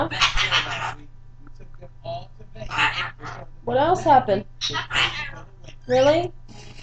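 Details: A 13-year-old pet Goffin's cockatoo babbles in its own made-up language: harsh, harmonic chattering syllables, some sweeping up and down in sharp chevrons, alternating with a person talking and laughing nearby.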